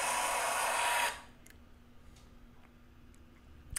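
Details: Loud hiss like a hair dryer for about a second, then a low steady hum with a few faint clicks and no animal calls.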